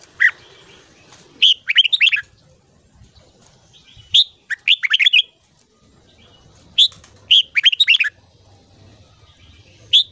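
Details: Red-whiskered bulbul in morning song, used for voice training: short warbled phrases of several quick bright notes, repeated about every three seconds with single sharp notes between them, over a low background hum.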